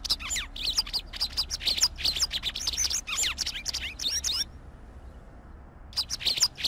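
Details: A White wagtail delivers lively, high-pitched twittering song in fast chirping phrases for over four seconds, then falls silent briefly before a few more sharp tweets.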